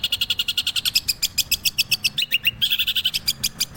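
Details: Long-tailed shrike giving a rapid stream of sharp repeated ticks, roughly four per second, with a brief run of falling whistled slurs midway before the quick chattering resumes.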